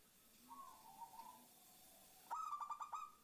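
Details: Zebra dove female calling the male as a lure: faint drawn-out notes at first, then a sudden burst of quick, stuttering cooing notes near the end.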